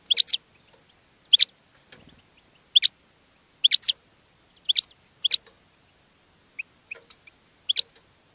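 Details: European goldfinch in a cage singing and attracting others of its kind: short, sharp twittering bursts repeated roughly once a second, each a tight cluster of high, chattering notes, with a softer few chirps near the end.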